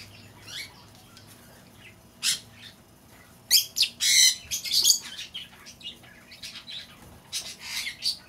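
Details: Lovebird calls played to lure back an escaped bird: scattered shrill, squawky chirps in short bursts, a dense cluster of harsh notes near the middle, then quieter gaps and a final burst of sharp squeaks.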